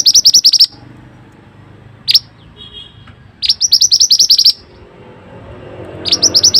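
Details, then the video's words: Mantenan bird song used as a training recording: rapid bursts of sharp, high chirps repeated in quick trills lasting under a second, separated by short pauses, with a soft background hum. "suara burung mantenan super unik"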